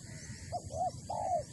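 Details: Single spotted dove phrase from Malaysia, a brief clipped note followed by two longer, smooth coos, the last the loudest and most drawn out, over a faint low background.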